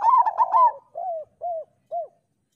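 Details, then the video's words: Local zebra dove singing as a master song to train other doves: a loud, bubbling opening phrase followed by three short, evenly spaced descending coos. "Perkutut lokal gacor Suara Masteran Burung Perkutut Paling Ampuh"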